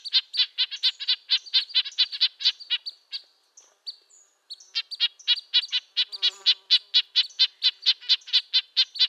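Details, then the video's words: Red-breasted nuthatch producing loud, evenly paced nasal honks, high-pitched like a tin trumpet, about two per second, a short quiet break in the middle before the steady series resumes. "Red-breasted nuthatch sounds, Sounds of the Canadian Nuthatch"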